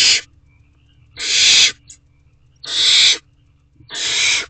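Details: Owlet of a barn owl in a nest box, making a second try at swallowing a whole rabbit one May evening: loud, rasping, broadband hisses of about half a second, given in a steady series about every second and a half.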